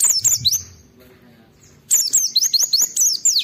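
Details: Oriental white-eye giving fast high twittering phrases of looping down-slurred notes, a pause of about a second, then another rapid burst; a song played to get other white-eyes singing.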